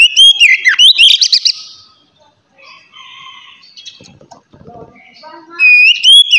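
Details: Oriental magpie-robin giving ngeplong-style song, used to coax untrained magpie-robins into voice: a vigorous run of dipping whistles and rapid chips, a near-silent gap with faint chirps, then a loud rising whistle resumes.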